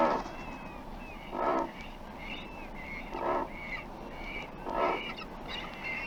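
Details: Double-crested Cormorant uttering low, rasping grunts roughly every one and a half seconds, three main bursts, while other birds keep up thin, level whistled notes in the background.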